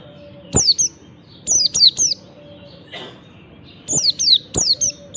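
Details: Oriental white-eye singing in the morning to lure reluctant white-eyes into song: thin, high, falling whistled notes in tight groups of two to four, a short rustle midway, and faint low hum throughout.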